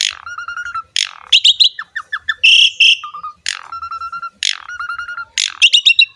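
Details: Energetic song of an Asian pied starling used as a training recording for other songbirds: sharp downward sweeps, steady whistled notes, buzzy bursts and quick chatter, repeated in short phrases about every second.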